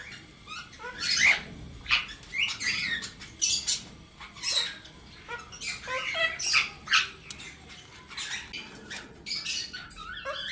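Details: Two sibling male cockatiels, pet birds, sit with their chicks enjoying sunlight; harsh, buzzy squawks come in rapid overlapping bursts, some rising and some falling, filling the whole stretch in a small indoor space.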